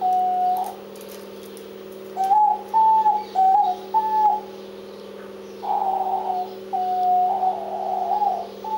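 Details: Diamond dove calling: soft, mellow coos near the same pitch, some short and level, others longer with a slight rise and wavering, given in bursts with pauses between; a steady low electrical hum runs throughout.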